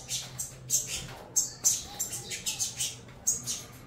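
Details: Saffron finch chicks from a Venezuelan cross begging while fed, giving sharp, squeaky high calls in quick bursts of three or four, with a faint low hum beneath.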